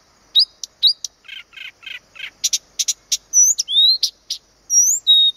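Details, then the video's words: Blyth's reed warbler at Planta, Podlaskie Voivodeship, Poland, singing a varied phrase: rising whistles, a run of four soft buzzy notes, sharp high clicks, then sweeping and level clear whistles. "zaroślówka (Acrocephalus dumetorum)"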